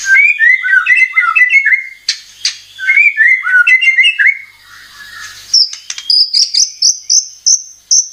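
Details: White-rumped shama (murai batu) song used as a lure to provoke singing: warbled, looping mid-pitched phrases, a pause, then a series of bright, high, repeated whistled notes.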